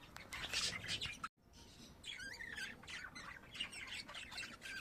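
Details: Pet budgies calling: rasping squawks and warbled chirps, moderately quiet, overlapping into a rough, busy chatter.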